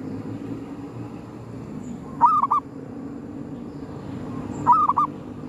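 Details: Zebra dove (perkutut) hunted near a graveyard with a lure bird; two brief bursts of three or four short, hooked cooing notes, several seconds apart, over steady low background noise.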